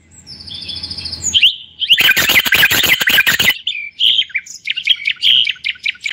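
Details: Moroccan common bulbul giving whistled and warbled phrases, broken by a loud two-second burst of rapid clattering noise partway through, after which short bright whistled notes and chirps resume.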